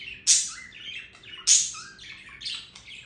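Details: Budgerigar singing: a chattering warble of sharp, scratchy chirps, with two loud bright squeaks about a second apart and softer buzzy, twittering notes filling the gaps between them.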